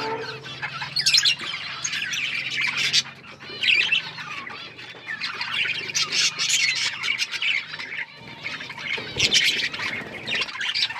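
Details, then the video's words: Budgies singing in a group, a continuous mix of grating squawks, twittering and squeaky chirps, with swells of louder chattering every couple of seconds. "Budgies singing"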